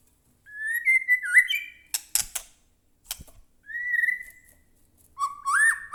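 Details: White-rumped shama song used to goad captive shamas into singing: drawn-out whistled notes with a quick dip, sharp clicking snaps in between, another level whistle, then a rising, bending phrase.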